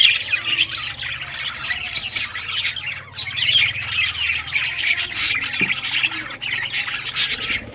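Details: Budgerigars of rare colours, recorded 18 June 2023 while playing with toys, giving bright chirps and high whistled notes over constant warbling chatter, with sharp clicks and a low background hum.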